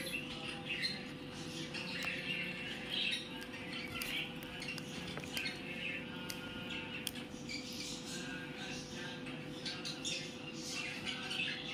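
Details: Pet ringneck parrot said to be talking: a run of harsh, raspy squawks and chattering notes, some with stacked harmonics, with short sharp clicks and a steady low background hum throughout.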